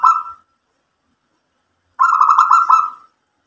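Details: Zebra dove of local stock cooing: the tail of one phrase, a gap of over a second of silence, then a full loud rattling coo phrase of fast, even pulses lasting about a second.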